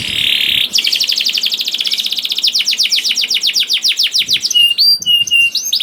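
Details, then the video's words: Energetic canary song meant to coax slow canaries into singing: a short buzzy burst gives way to a very rapid trill of descending chirps, about four per second, ending in bright metallic high notes. "KENARI GACOR DOR INI MEMANCING KENARI YANG SUSAH BUNYI JADI IKUT GACOR"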